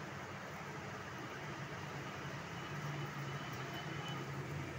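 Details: Steady hissing background noise with a low droning hum throughout, without any animal calls.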